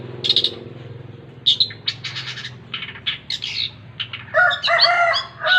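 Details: Varied long-tailed shrike song mixing brief harsh chatters, buzzy rattles and, toward the end, rich harmonic nasal notes repeated several times, over a low background hum.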